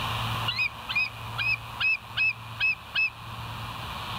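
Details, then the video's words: Bald eagle recorded by a live nature camera early on 27 September 2023; a fairly even series of seven moderately loud, high piping chirps about every half second, over steady background hiss. "West End Bald Eagles"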